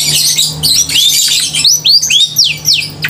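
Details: Loud, clear song of a long-tailed shrike, used to stir emotion and mating drive in other shrikes: scratchy high chatter, then a run of sharp downward-sweeping whistled notes roughly every third of a second over faint low hum.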